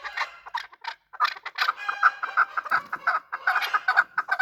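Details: Chukar partridge calling during a fight, a fast run of clucking, chattering notes, short and uneven, several per second, building in density toward the end.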